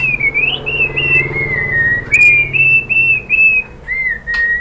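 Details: White-rumped shama song used as a lure to stimulate captive birds to sing: clear whistled notes with slides, held phrases rising and falling near a steady pitch, with a low hum underneath.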